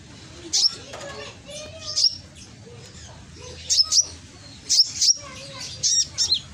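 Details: Konin lure recording from Gresik, East Java, Indonesia, used to provoke lazy birds into answering. Its loud, piercing voice is heard as sharp, very high chirps in short bursts of two or three, recurring about every second, over softer lower chirps.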